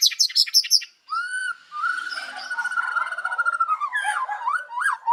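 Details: Morning white-rumped shama song used for luring birds: quick high notes, then a long sustained whistle with rapid trilling overtones, ending in looping rising and falling whistles.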